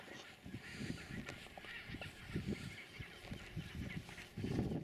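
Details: Chinstrap penguins at a colony on Halfmoon Island, Antarctica, 9 December 2016, give harsh, honking brays in short overlapping bursts, louder toward the end, over steady wind and surf noise.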